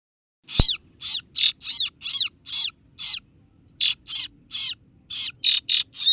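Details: Kaso-kaso bird, also called singo barong, in a lure recording used to call rivals: loud, harsh, buzzy 'ciet' notes with a downward-curving tone, given in irregular bursts of about eleven notes over six seconds on a quiet background.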